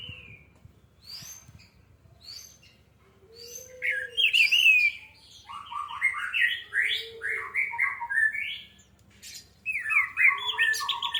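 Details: Orange-headed thrush song played as a lure to trigger singing: a long, varied medley of rich, slurred whistles and quick warbled phrases, with soft lower notes mixed in, rising to loud bursts.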